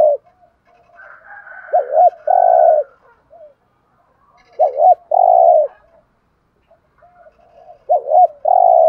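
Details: Decoy spotted dove calling in the thúc gù style to lure wild doves; three loud phrases about three seconds apart, each a quick double coo followed by a long, burry, level coo, with faint higher cooing behind.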